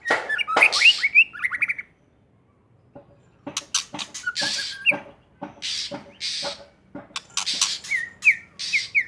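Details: Wild white-rumped shama from Aceh singing hard: rapid whistled slides and rasping notes, a short silent pause, then dense harsh bursts ending in repeated brief whistles.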